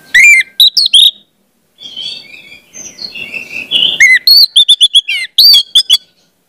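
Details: Orange-headed thrush song played as a lure to train young spotted birds to sing: loud, sharp whistled notes in quick bursts, a softer buzzy warbling passage in the middle, then a fast run of clipped, repeated high notes.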